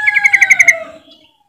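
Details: Trucukan, the yellow-vented bulbul, giving a lure call meant to make silent birds start singing: one rapid bubbly trill of about eight notes over a lower gliding tone, fading after a second.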